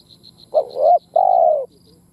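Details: Spotted dove giving a low two-part coo, a rising bent note followed by a long steady hooted note, over faint regular high chirps.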